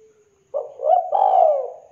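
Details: Derkuku or tekukur, the spotted dove, in a mastered recording with a thick, clear tone. A faint tail of an earlier note is followed by one phrase: a short opening note, then two swelling, throaty coos that fall away softly.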